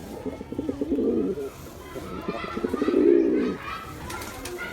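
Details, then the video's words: Male pigeon cooing: two rolling, throaty coo bursts, each about a second long, with a pause between them, over faint background noise. "Pigeon sounds attract pigeons || Male pigeon Sound"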